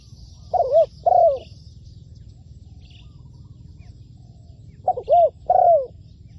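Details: Spotted dove used as a decoy bird for ground trapping, giving two loud bursts of cooing, each a pair of hollow, slightly rising-then-falling notes, separated by about four seconds of quiet; faint high chirps in the background.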